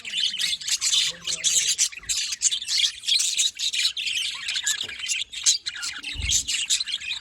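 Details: A flock of budgerigars keeps up steady twittering and scratchy squawks, bursts of chatter rising and falling over several seconds, with a couple of brief low knocks in the background.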